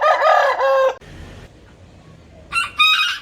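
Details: Rooster crowing loudly with a hoarse, sustained harmonic tone, then a quiet noisy gap, then another crow beginning with short stuttering notes.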